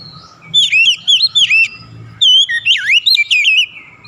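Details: An Oriental magpie-robin sings two phrases of rich, slurred whistles. Notes dip and rise rapidly in quick succession, with a short pause between the phrases and a low hum underneath.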